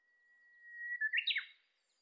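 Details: Japanese bush warbler (Horornis diphone) song in the Shinetsu highlands of Japan in July: one long, steady whistle of about a second, then a quick, higher flourish of slurred notes. Nothing else is heard.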